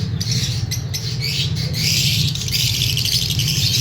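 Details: White lovebirds in a breeding aviary give dense, harsh, squawking chatter in a continuous overlapping stream, with a steady low hum underneath.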